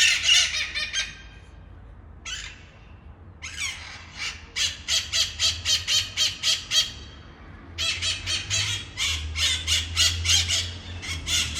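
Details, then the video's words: Red-masked parakeets outside a balcony in Ecuador, a noisy group that visits every few days: loud harsh screeching squawks in rapid repeated bursts, several birds calling together with short pauses between volleys. "Red Masked Parrots Ecuador South America"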